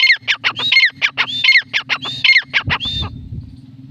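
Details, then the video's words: A francolin gives loud, harsh, grating notes in quick repeated phrases, several per second, over a steady low mechanical hum. "Franklin teetar voice"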